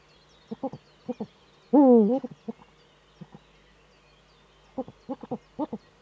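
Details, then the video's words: Eurasian eagle-owl male performing courtship inside the nest niche, recorded by a nest webcam in northern Rhineland-Palatinate, Germany, 4 May 2013. Brief soft notes, then a strong wavering cry, a pause, and a closing cluster of quick clipped notes. "Das Uhu-Männchen balzt in der Brutnische"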